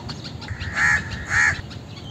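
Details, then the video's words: Two loud, rasping caws from an Indian crow, evenly spaced about half a second apart, with faint high bird chirps in the background. "Indian Crow Sound - Crow Sound - Crow Soundtrack - Crow Call"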